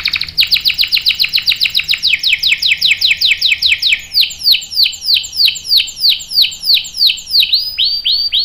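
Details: Canary singing a long roll for young canaries to learn from: a rapid series of bright, falling sweeps that gradually slows into evenly spaced, ringing downslurred notes.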